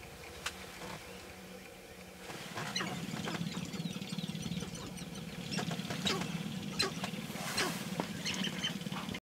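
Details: Sharp-tailed grouse, roughly 30 to 40 birds and only a few females, dancing at dawn on the lek; after a quieter start, loud rapid pattering and clucking chorus builds, with scattered high squeaks and cackles.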